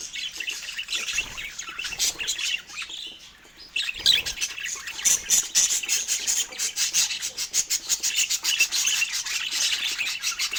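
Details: Budgerigar, a pet bird, eating fruit and chirping. Its rapid high chatter and scratchy squawks build into a fast, steady string of clicking chirps after a short lull near the start.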